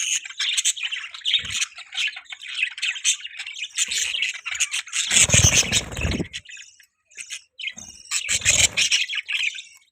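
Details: Pet budgies chirping, a continuous scratchy warble of many chirps and squawks, broken by a louder burst of low rumbling noise midway and a short silent gap.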